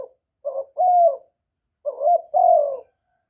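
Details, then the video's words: Young male spotted dove calling loudly in Vietnam: two low, hoarse cooing phrases about a second and a half apart, each a short soft note followed by longer, louder drawn-out coos, with silence between phrases. "Tiếng chim cu đất gáy lớn tiếng, cu gáy thúc, cu gáy gọi, cu trống tơ gáy to, cu cườm gáy,cu đất gáy"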